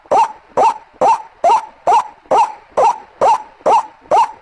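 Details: Ruak-ruak lure call of the White-breasted waterhen: a rapid, evenly spaced chain of harsh, upward-bending croaks, about ten in under five seconds, on a clean background.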